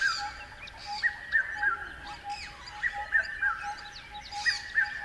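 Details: A bird chirps in repeated three-note phrases, each slightly descending, separated by brief pauses, while busier high-pitched chatter and a steady low hum fill the background.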